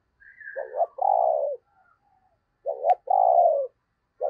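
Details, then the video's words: Spotted dove used as a decoy to lure wild doves: two low coo phrases, each a quick stuttered double note then a long hoarse coo, with a faint higher whistle before the first. "tiếng cu gáy/ Chim Cu Mồi Thúc Và Gáy Gọi/ Tiếng chim cu gáy kích bổi hiệu quả"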